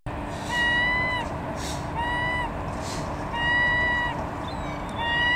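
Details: Herring gull calling at a harbour in Bergen, Norway, on 21 September 2015: drawn-out, slightly wavering mewing notes with rich overtones, repeated about every one to two seconds over steady harbour rumble and noise.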